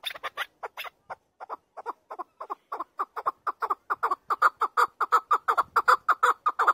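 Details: A chukar's rhythmic chant: a continuous series of harsh, clucking notes, uneven at first and then louder and more regular, roughly three per second throughout.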